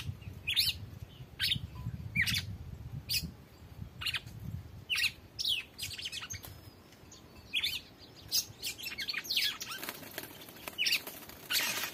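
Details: Red-cowled cardinal called Drácula in free trial, delivering a long run of sharp, high chirps and whistled notes repeated about once a second, with faint low rumble early on.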